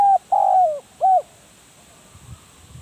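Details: Spotted dove kept for decoying, heard close: a short hoot, a long coo sliding downward, and a final short hoot, then quiet with faint low background sounds.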